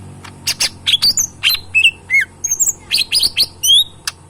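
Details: Tame caged cucak ijo mini, a green leafbird kept as a pet and fed banana, chicken feed and crickets, singing actively: a quick run of bright, slurred whistles rising and falling, mixed with sharp clicks, in steady bursts.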